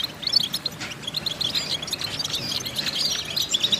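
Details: European goldfinch training song: scattered high chirps and soft twitters, a little fainter and more broken than a full song, with brief sharp, squeaky notes near the start and end.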